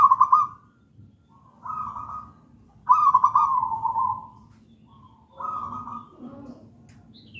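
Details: Local zebra dove, gedang rojo style, singing as lure and master song: four trilled, bubbling coo phrases about a second and a half apart, the third longest, with soft lower notes at the end.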